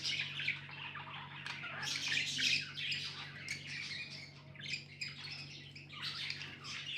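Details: Budgerigars, pet birds, give rapid rough chatter, harsh squawky chirps and twittering in uneven bursts, louder around the middle, with a steady faint electrical-sounding hum behind.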